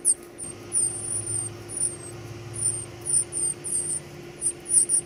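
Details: Thin, high squeaky chirps from baby birds being fed come in scattered bursts over a low rumbling engine-like drone.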